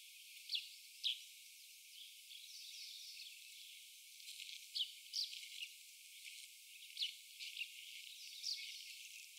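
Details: Indian grey hornbill giving its type 3 call: short, sharp, high squeaky notes at irregular intervals, singly or in quick pairs, over a steady hiss of insects.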